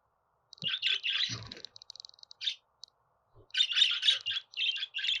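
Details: Budgerigar warbling fast: dense runs of buzzy, scratchy chirps with brief clicks, a short lull, then another busy stretch of chatter.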